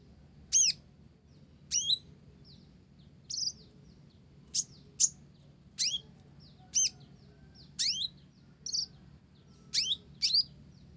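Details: Slow, spaced delivery from an olive-backed sunbird whose song carries Java sparrow phrases: single sharp descending high notes, roughly one per second, some with a quick downward flick.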